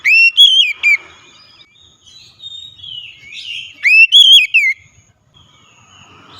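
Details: Oriental magpie-robin giving a loud lure song to prompt a reluctant bird to sing: two strong slurred whistled phrases, repeated about three seconds apart, with soft, quiet warbling in the gap between them.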